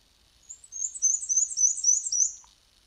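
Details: A Black-and-white Warbler sings a thin, very high song of squeaky two-note phrases, one high and one low, repeated about eight times over two seconds, like a squeaky wheel.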